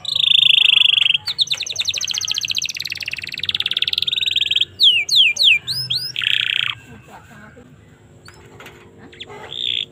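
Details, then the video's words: Canary singing as training material for young birds, opening with a loud sustained rolling trill, then a rapid pulsed roll, a run of steep downslurred whistles and another buzzy roll before fading to quiet. "suara burung kenari"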